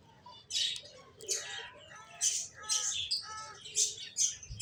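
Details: Bright, high finch chirps arrive in separate short bursts, several with ringing lower overtones, spaced roughly every half second over a quiet background.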